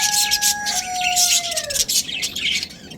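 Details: Australian budgies, a breeding pair, chirping in rapid high bursts while a steady whistle-like tone slowly slides downward beneath them, then fades.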